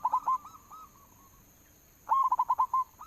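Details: Local zebra dove lure song: quick bursts of soft cooing notes near one pitch, a rapid rolling run at the start, fainter echoing coos, then another loud run of six or seven pulses.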